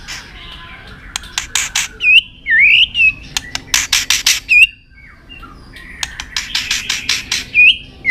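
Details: White-rumped shama singing at full intensity with repeated tail-flicking: bursts of harsh, buzzy rasping notes alternate with sharp upslurred whistles, delivered in quick clusters with short pauses between them.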